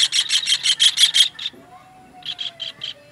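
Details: Kingfisher calls used as a master recording for training songbirds: a fast burst of eight harsh, buzzy, evenly spaced notes, a pause with a faint low whistle, then four more rasping notes.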